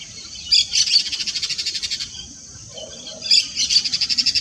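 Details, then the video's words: Shrill, grating trills from a yellow-chevroned parakeet, two bursts of evenly spaced rapid pulses about ten per second, each opening with a sharper screech, separated by a brief lull. "O canto do periquito de encontro amarelo"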